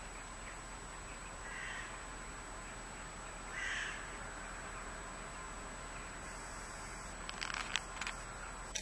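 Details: A flock of western jackdaws taking over a field in southern Sweden on 8 February 2014 gives two short, sharp distant calls a couple of seconds apart over steady wind-like hiss, followed by faint clicks and knocks.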